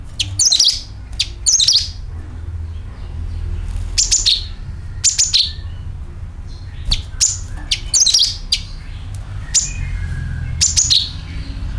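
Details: Repeated calling of a sooty-headed bulbul, played as a bird lure: short clusters of sharp, high chirps falling in pitch, recurring every one to two seconds over about twelve seconds, with low background hum.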